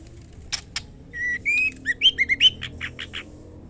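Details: White-rumped shama female calling a male, opening with two dry clicks, then a run of bright whistled notes, several rising, followed by a string of short harsh chips about every two tenths of a second.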